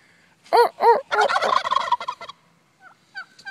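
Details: Wild turkeys near a house responding to a person's mouth-made hen calls: two loud harmonic yelps, then a rapid rattling gobble for about a second, followed by faint short calls; human laughter just before.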